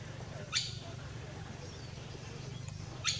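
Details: African goshawk (Accipiter tachiro), call.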